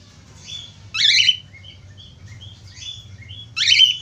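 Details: Budgerigar chatter for prompting other budgerigars to sing, two loud rasping bursts framing a run of soft, short whistled and twittering notes, with a low hum in the background.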